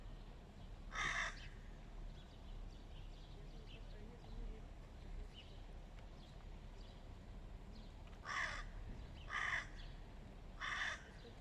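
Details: Hooded crows fighting a stray cat: a single harsh caw, a long quieter stretch with faint distant sounds, then three hoarse caws about a second apart.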